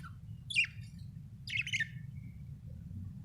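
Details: Budgie chirping: two short, harsh, scratchy high chirps about one second apart, then a faint thin note, over a constant low background hum.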